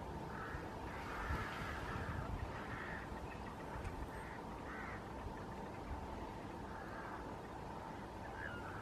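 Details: An unringed Lesser White-fronted Goose of unknown origin at Slimbridge, 16 October 2023, gives high, squeaky yelping calls in irregular bursts over a steady low rumble of wind or distant traffic.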